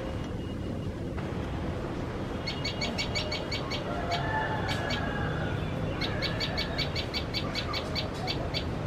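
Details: Common tailorbird scolding cats while tending chicks: after a quiet start, rapid bursts of piercing high chip notes, broken by short pauses, with a fainter thin whistle and steady low background noise.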